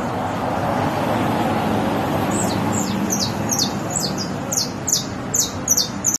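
High, thin, down-slurred notes repeated two or three times a second, starting a couple of seconds in, over a steady traffic-like rumble.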